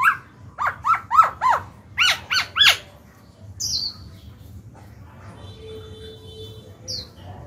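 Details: Caged Black-throated laughingthrush singing to encourage newly caught birds: a quick series of bright repeated downslurred whistles over about three seconds, then faint distant notes and a soft high squeak.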